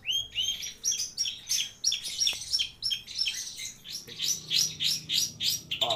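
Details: Long-tailed shrike singing actively with plentiful fill-in phrases: an unbroken stream of short high chirps and whistles pulsing about three times a second for the whole stretch.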